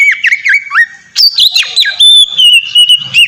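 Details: Oriental magpie-robin singing in the ngeplong style, used as a lure to make other kept magpie-robins sing: rich whistled notes slurring down and repeated quickly, then higher sustained whistles and sharp rising flourishes.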